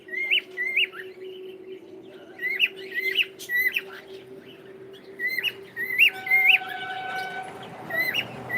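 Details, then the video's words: Pet cockatiel said to be saying good morning; repeated short rising-and-falling whistled notes in bursts, with a steady low hum running underneath throughout. "is saying gud morning"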